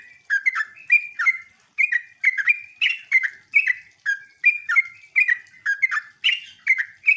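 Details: Yellow-vented bulbul singing in the ngeropel, ngecruk and nembak manner, a lure sound to set other bulbuls calling back: a steady run of paired and tripled chattering notes, bright and bubbly, repeated about twice a second.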